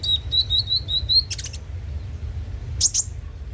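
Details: Konin (kolibri ninja) lure song: a steady series of thin, high whistled notes repeated about five times a second, then a few sharp clicks and two piercing high chips, over a low hum.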